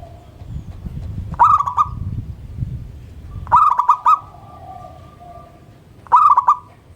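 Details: Morning song of a local zebra dove calling keenly from a hoisted perch, setting others singing; three bubbling, rapid-fire coo phrases about every two and a half seconds, with faint steady tones in between.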